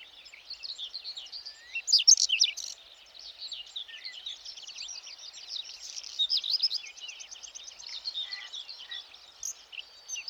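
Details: Whinchat singing on 20 June in a meadow by the Vistula near Przegalina/Błotnik, in morning sun, turning its head as it sings. A fast, scratchy jumble of high chirps, rattles and whistles, with borrowed greenfinch, black redstart and Eurasian curlew phrases.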